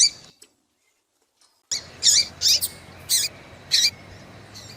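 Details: Female double-collared seedeater peeping to get a male singing: after a brief silent gap, four loud, high chirps with hooked lower tails follow at irregular spacing.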